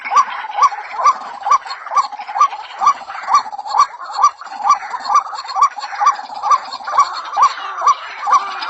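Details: A female white-breasted waterhen calls for a male, repeating short hooting notes at an even pace of about two per second for the whole stretch.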